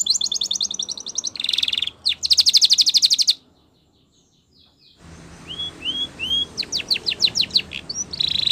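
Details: Spanish Timbrado canary training song: dense buzzy trills and rattling phrases, a short near-silent pause, then rising whistled notes and quick descending sweeps.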